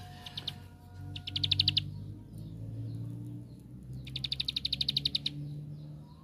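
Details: Bar-winged prinia, known locally as ciblek sawah, singing as a lure to draw other prinias into song. Two short bursts of rapid, high, clipped notes, separated by a gap, over a steady low hum.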